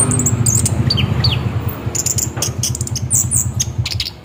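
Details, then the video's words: Rolling 'ngeroll' song of an orange-headed thrush, a lure to get the bird singing: short clusters of high twittering notes and a few falling whistles, with a persistent low hum beneath. "Pancingan bunyi nada Anis kembang ngeroll"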